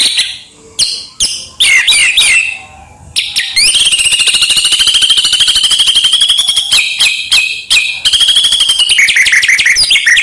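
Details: White-rumped shama singing constantly with a packed repertoire, used as a lure for home birds: a few sharp notes, then a long, steady buzzy trill lasting several seconds, followed by more trilled phrases.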